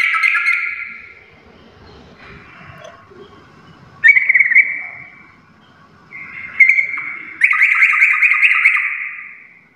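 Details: Sooty-headed bulbul singing in the lively "full garuda" style: bright, sustained warbling phrases that come in several separate bursts, with quieter gaps between them.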